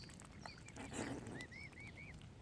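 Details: Tiny furry baby mute swan cygnets at Lough Neagh, Oxford Island Nature Reserve, Ireland, give thin high peeps. Each peep rises and then falls. Three or four come in a quick run near the end over a low background rumble.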